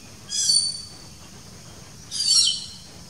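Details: Legge's hawk-eagle (Nisaetus kelaarti), chick call.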